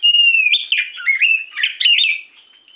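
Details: Oriental magpie-robin singing in the morning, used as a lure: loud whistled phrases sliding between high and mid pitch, with warbled notes and quick buzzy flourishes, fading away at the end.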